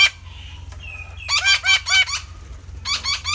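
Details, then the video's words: Red-breasted parakeet with a thin, drawn-out whistled note followed by a burst of four harsh, nasal squawks, then a further short run of rough calls. "เสียงนกแขกเต้า_Red-breasted parakeet"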